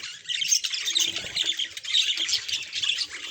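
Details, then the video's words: Pet budgerigar described as a happy bird, chattering in a dense, rapid warble of scratchy, buzzy chirps that runs without pause through the whole stretch, with faint low thumps underneath. "Why My Budgie Is the Happiest Bird Around!"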